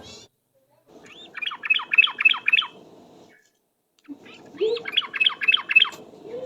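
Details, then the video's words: Ropel-style song of a trucuk (yellow-vented bulbul), played as a lure: two bursts of about six fast, descending bubbly notes each, separated by a short pause, over a faint low hum. "suara pikat trucuk ropel"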